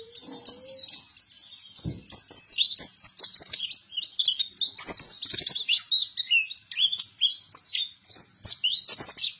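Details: A buktoni-type white-eye in vigorous song delivers long, fast runs of high, bright chirping notes, briefly interrupted, opening over a short low tone and scattered clicks.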